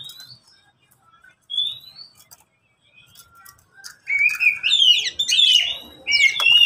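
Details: One of three pet Oriental magpie-robins kept in cages sings, with the birds answering one another: clear rising whistles, then a rich burst of varied, chattering high notes.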